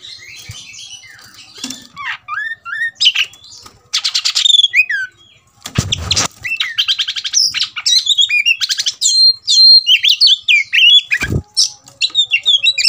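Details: Oriental magpie-robin provoked into fighting mood gives a long, rich song of sweet whistles, trills and scratchy rapid buzzes, with a couple of sharp knocks and flapping sounds.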